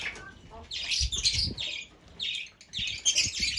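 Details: Fischer's lovebird producing a few grating, high-pitched squawks in uneven bursts, with soft low knocks and rustling in the background.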